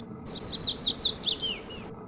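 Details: Audubon's Yellow-rumped Warbler sings a quick, high, sweet trill of slurred notes rising or falling at the end, ending in a few lower, falling phrases; a West Coast warbler of western US and Canada; faint background hiss.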